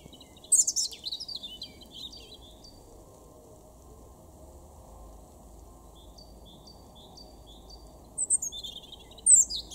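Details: A European robin in a garden in Weener, East Frisia, northwest Germany, in April 2021, sings thin, high, jangling phrases, one near the start and another after a long pause, with soft faint notes between over a low background hum.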